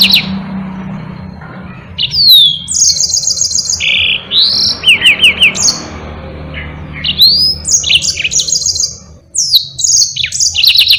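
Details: Yellow-fronted canary singing a long rolling song suited to training other cage birds: a fast chain of bright whistles, rising slurs, short trills and sharp chips, rich and continuous, over faint low background noise.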